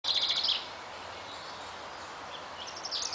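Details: A singing, displaying common chaffinch gives a fast run of bright, high notes for about half a second, then a quiet pause before a second burst begins at the end.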